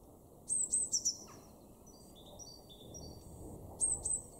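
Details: Garden blue tit in Weener, East Frisia, Germany, recorded March 2024, giving a short phrase of high, sharp introductory notes ending in a quick trill, then a second brief high phrase after a lull.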